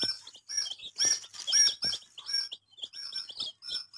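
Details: Loud baby chick peeping, several birds giving sharp high chirps with downward-sliding tails, in rapid uneven bursts nearly twice a second.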